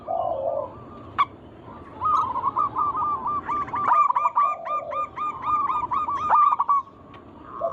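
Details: Local zebra doves singing energetically to draw other doves into song. A low rolling coo opens, then a long fast sequence of crisp, repeated cooing notes with several birds overlapping.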